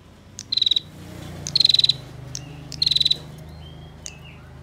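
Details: Female bar-winged prinia giving a compact rapid trill, a master song for training songbirds. Three even bursts of quick metallic ticks about a second apart, then a single short note over a low hum.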